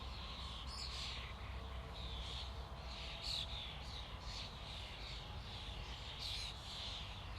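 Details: Massed chatter from a starling flock: steady overlapping squeaks and whistles with occasional louder bursts, over a noticeable low rumble of background noise.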